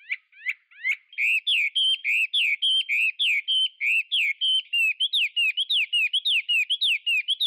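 A Chinese hwamei sings a loud, rich run of rapid whistled phrases, each note sliding up or down, repeated almost without pause in a clear, ringing voice.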